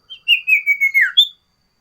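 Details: Varied song of a sooty-headed bulbul, loud and active, used to tutor cipow and lure wild birds: short whistled phrase of linked notes sliding slightly downward, then a sharp higher final note.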